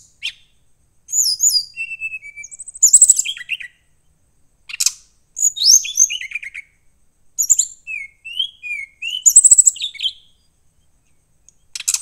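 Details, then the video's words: Brown-chested jungle flycatcher, a kept songbird, sings bright, high phrases of quick whistles, slurred notes and chirps, each lasting one to two seconds with short pauses between them. "SRDC ini ingin bertemu lawan"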